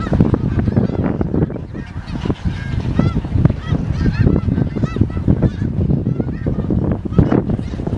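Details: Snow geese in Dare County, North Carolina, USA, on January 23, 2017: a dense chorus of overlapping nasal honks and yelps from many birds, with a steady low rumble underneath throughout.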